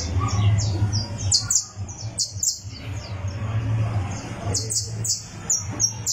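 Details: Criollo canary warming up on a tournament perch, tuning its song: scattered high, slurred downward chirps in loose clusters, broken by brief pauses, over a constant low electrical-sounding hum.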